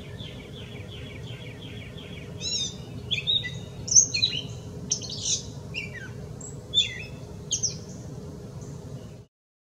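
A gray catbird sings a rambling run of squeaky, chattering and slurred phrases, each different from the last, over a low steady hum.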